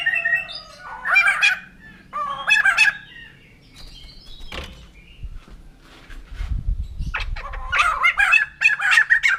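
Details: Loud, rasping bursts of laughter-like chatter from a white-crested laughingthrush, the poksay jambul putih, come in clusters, with a lull midway before a fast, rolling cackle resumes.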